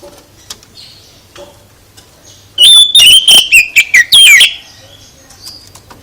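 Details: Oriental magpie-robin song intended to provoke other birds to respond: quiet chips and whistles, then a loud two-second rush of quick sharp notes and falling whistles, followed by soft thin whistles.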